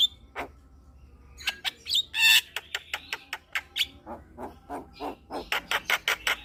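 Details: Javan myna chatter used as therapy for a stressed, silent myna: scattered squawks, a loud hissing rasp, then a run of short clipped notes speeding into rapid squawks.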